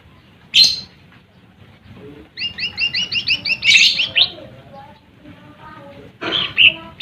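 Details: Song of a lesser green leafbird, meant to rouse rival birds: sharp high chips, then a fast run of paired two-tone notes swelling into louder whistles, with a few scattered chirps afterward.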